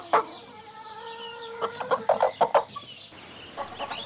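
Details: Rooster among chickens and rabbits foraging in grass: a steady, harmonic-rich crow held about one and a half seconds, then a run of short sharp clucks, with faint small-bird chirps near the end.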